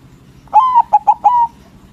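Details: Loud singing from a white local zebra dove, used to stir rival doves into replying. One phrase under a second long: a drawn-out coo, two short clipped notes, then another long coo.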